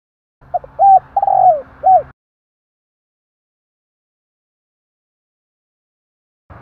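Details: Spotted dove calling to attract: one phrase of soft repeated coos with a longer drawn-out note sliding downward, followed by silence, a faint low hum under the calling.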